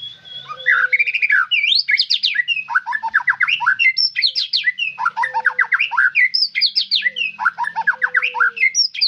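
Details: White-rumped shama singing vigorously in long, loud, varied bursts: rapid sweeping whistles and chattering note clusters rising and falling, with brief pauses between phrases and a faint low steady tone beneath.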